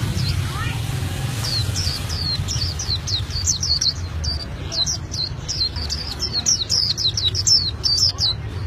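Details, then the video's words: Albino white-eye singing a long rolling song of rapid, high, sharp downslurred notes repeated almost without pause, delivered as a lively continuous chatter over low background rumble and faint voices. "Pleci Albino Gacor Ngeroll"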